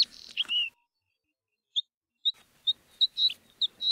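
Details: Male bluethroat singing to attract a mate in the Kviknefjella mountains, Norway: a burst of fine twittering trills and a clear whistle, then after a pause a run of short, sharp, bell-like notes repeated in quick succession.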